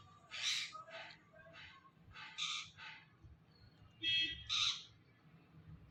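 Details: A talking rose-ringed (ringneck) parakeet, apparently saying "Mittu", gives about six quick, squawky word-like phrases in six seconds in high, raspy bursts, some with a thin whistled edge, over a quiet room hum.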